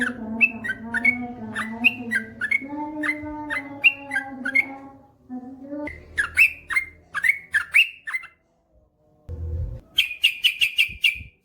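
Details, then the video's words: Yellow-vented bulbul song, ropel panjang style: a run of liquid whistled notes over low humming tones, a pause, a second burst of bubbly whistles, then a fast ringing trill of about eight notes. "SUARA trucukan gacor ropel panjang"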